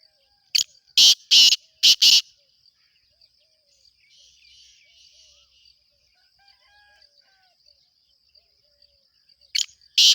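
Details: Breeding-season calling of a black francolin: a quick run of five harsh, scratchy bursts, a pause filled with faint twittering and a high insect whine, then two more loud grating notes at the end.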